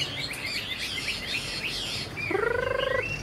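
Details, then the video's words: Chinese hwamei, a caged young bird of this year said to sing well, gives quick high whistled phrases, then a drawn-out rising, nasal, buzzy note. "Họa mi chuyền năm nay, cực kỳ tố chất, vẩy đuôi khướu, hót tốt"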